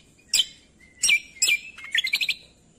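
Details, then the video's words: Cucak kombo training song for provoking quiet birds to respond: three sharp separate chirps with a thin whistle between, then a quick rattling trill of five notes. "MASTERAN CUCAK KOMBO - PANCINGAN MALAS BUNYI SEKALI DENGAR LANGSUNG NYAUT"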